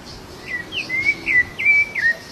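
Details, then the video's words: Rufous-bellied thrush singing while feeding free in the wild, giving a few clear whistled phrases that rise, then slur downward, spaced about half a second apart, over a faint low background hum. "sabiá laranjeira cantando e comendo solta na natureza ,canto da sabiá laranjeira"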